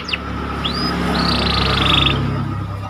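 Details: Panda canary singing to stimulate excitement: a single downward sweep, a rising whistle and a buzzy rattling roll, partly covered by heavy low rumble and hum.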